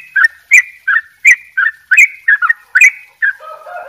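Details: Short burst of "dobel ropel" song from a Bali sooty-headed bulbul: about ten quick, punchy whistled notes, then a lower wavering warble.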